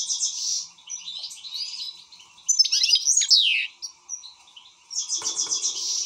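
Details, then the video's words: European goldfinch, described as excited, pouring out buzzy trills and liquid twittering with loud sweeping phrases midway and a rapid trilled burst near the end. "حسون هائج"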